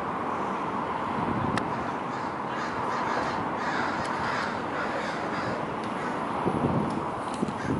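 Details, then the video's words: Many American crows mobbing a predator: a dense, continuous chorus of harsh, overlapping caws at once, with no clear pauses. "American Crows mobbing a predator"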